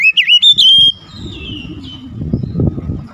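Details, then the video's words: Oriental magpie-robin singing as a lure to rouse other birds: a burst of loud, warbling whistles with quick upward slides, then a long thin descending whistle fading into faint background rumble. "PANCINGAN KACER LANGSUNG ANGKAT SUARA GACOR BONGKAR ISIAN"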